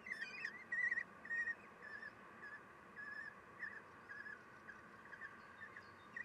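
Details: At a kestrel nest on 3 June 2021, 9:12, the female feeds her chicks. Rapid, squeaky wavering calls repeat nearly twice a second, loudest at the start, then softer and uneven over a steady hum.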